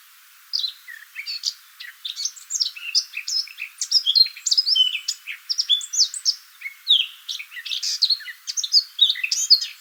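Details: Eurasian blackcap song from woodland along a West Sussex countryside walk, a long dense run of rich, musical warbling with rapid chattering notes, clear whistles and high sharp flourishes, almost continuous after a brief quiet start.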